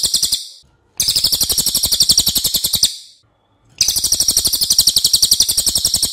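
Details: Training song of a racket-tailed treepie for other cage birds: piercing, evenly pulsed high notes about four per second, in a short burst and then two longer runs, with silent gaps between.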